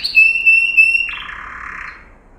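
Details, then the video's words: A yellow canary (Serinus canaria) sings a training song: a steady, pure high whistle held for about a second, then a buzzy, lower rattling trill that fades out. "Yellow Canary singing video - Serinus canaria - Canary Training Song"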